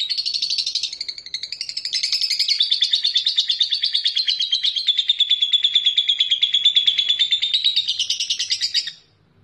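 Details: Lovebird master song for stirring rivals into ngekek: one long, unbroken, rapid high trill of nearly nine seconds, gently wavering in pitch, ending cleanly into silence.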